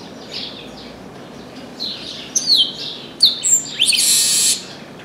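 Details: Chestnut-capped blackbird singing a lot from an orange tree: quiet high notes at first, then loud swooping whistles and a harsh rasping buzz of about half a second near the end.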